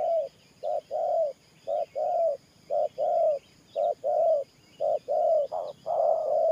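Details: Spotted dove cooing in Thổ Pha gù style, about seven short-long pairs of low, rounded coos, the last ones slightly higher and run together, soft bird chirps in the background.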